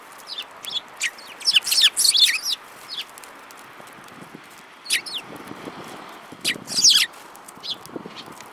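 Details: Several sparrows, one with a yellow beak, recorded on 5 February 2018, giving bursts of sharp, high chirps in clustered runs around the second and seventh seconds, with scattered single chips between.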